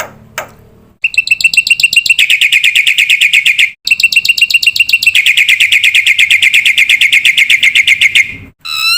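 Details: Black-winged myna song from a masteran for young cage birds: after a brief sweep, a long unbroken run of fast, even, ringing chirps about four per second, briefly interrupted, then continuing and ending in a rising whistle.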